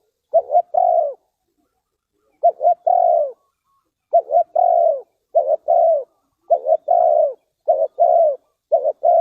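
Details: Spotted dove in Ninh Thuận, Vietnam, where birds are lured and trapped. Repeated low coo phrases, about seven in nine seconds: paired short notes then a longer descending croo, closer together toward the end.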